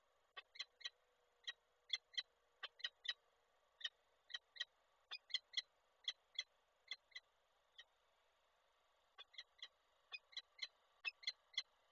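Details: Peregrine falcon pair at a nest site in Koszalin, Poland, on 29 November 2023 when the male arrives with a prey gift the female does not take: sharp, harmonic chipping calls in quick runs of about thirty notes, pausing briefly near the ninth second.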